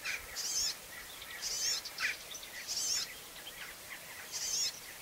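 A European serin gives very high, thin, jingling bursts about once a second, mixed with shorter chirps, over faint background hiss.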